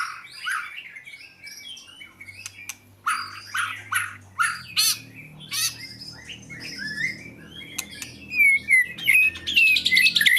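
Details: Oriental magpie-robin mixing scratchy chatter, sharp clicks and clear whistled phrases, the whistles growing louder toward the end; low background hum.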